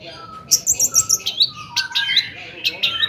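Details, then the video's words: Long-tailed shrike singing a lively 'toet toet' song, played to provoke other shrikes into singing. A steady low whistle runs beneath quick bursts of high, sharp chirps. "kicau cendet gacor toet toet AMPUH buat PANCINGAN CENDET AGAR EMOSI"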